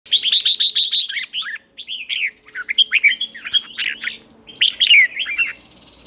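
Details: Red-whiskered bulbul morning song used for training other bulbuls: an opening run of rapid bright chirps, then lively warbled phrases of rising and falling whistled notes, loud and continuous.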